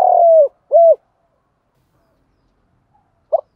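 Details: End of a decoy spotted dove's luring phrase: a long descending coo and one arched hoot, then silence and a short note starting the next phrase.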